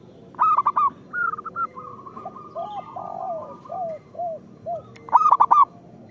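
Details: Local zebra doves in full song, used to coax other zebra doves into singing. Opens with a loud rolling coo burst, then a brisk even trill, a string of soft lower curved coos, and another loud burst at the end.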